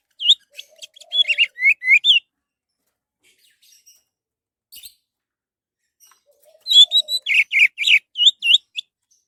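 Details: Song of an orange-headed thrush, used as a lure to prompt other birds to sing: two lively phrases of varied whistled and slurred notes, each about two seconds, split by several seconds of near silence.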